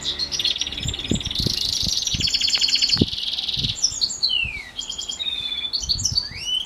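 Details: A house finch and canary hybrid sings in a morning training session. Rapid rattling trills and buzzy stretches lead into clear downslurred and rising whistles, with scattered soft knocks and thumps in the background.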